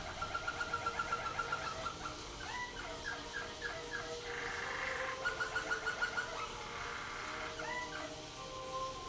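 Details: Waterslager canary singing in a cage at the 2011 WWC contest, scored 114 points with 6 Klok and 5 Bol: quick pulsed rolling notes, then bubbling liquid trills, a buzzy burst, and a held tone over background hiss.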